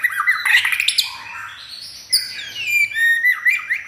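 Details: White-rumped shama kept at home, never entered in contests, singing vigorously: loud rich whistles and harsh squawky notes, a long rising slur, then clear sliding whistled phrases.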